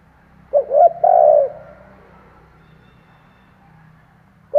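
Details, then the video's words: Spotted dove kept as a decoy, cooing to bring in wild doves; one full phrase of two quick coos and a long coo, then quiet until another phrase begins. "Chim cu gáy kích bổi , Cu gáy kích bổi mở là gáy"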